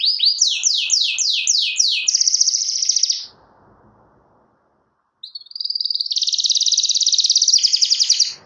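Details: Canary song aimed at a rival: five rapid descending whistled slurs, then a dense buzzy trill, a two-second pause, and another long fast rattling trill.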